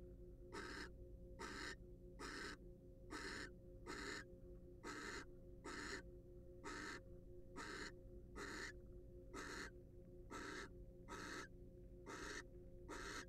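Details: Barn owls at a research-monitored nest box, wild and free to come and go. A long run of rasping hiss bursts, regularly spaced a little under a second apart, over a low background drone.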